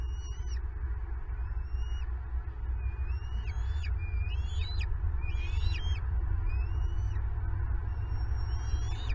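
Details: Bald eagle calling at a Southwest Florida nest cam as an intruder steals turtle food meant for the young. Varied high whistles, some level and drawn out, others rising then falling, come in loose irregular phrases over constant low wind rumble.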